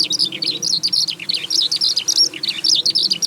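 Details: Eurasian skylark singing during its rising flight: a fast, bubbling run of sharp, high chirps and slurred whistles tumbling one after another without a break.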